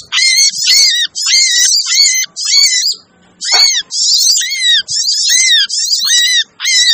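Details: Busy lure calling of little spiderhunter, or sogon: short scratchy high bursts, each with a clear falling whistled note, repeated about twice a second, with one brief pause midway.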